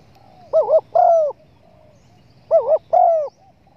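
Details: Spotted dove call used by hunters as a lure to draw wild doves in: two paired cooing phrases, each a wavering double coo followed by a longer drawn-out coo, repeated after a two-second pause over faint low hum.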